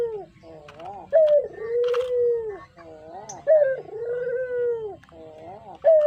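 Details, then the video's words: Pet spotted dove giving a call used as a lure: short rising note then a long, even, low coo, repeated twice and starting a third time, with light rustles and a brief higher chirp between phrases. "Suara Merdu Burung Puter Coklat, Cocok Buat Pancingan"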